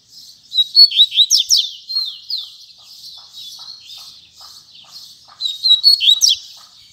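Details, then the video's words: Tui Tui Zel Zel song of a caged double-collared seedeater. Clusters of quick, high downslurred chirps alternate with thin sustained whistles. Soft ticking sounds repeat faintly beneath the singing, and a loud chirping burst returns near the end. "Coleiro Tui Tui Zel Zel"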